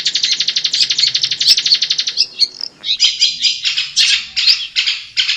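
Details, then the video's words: Long-tailed shrike in its natural habitat delivering a fast, even rattling series of harsh notes for two seconds, then louder scratchy chattering bursts spaced about half a second apart. "SUARA BURUNG CENDET DI HABITAT ASLINYA"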